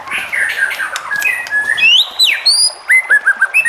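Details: White-rumped shama (Copsychus malabaricus), song: provoking other shamas to sing.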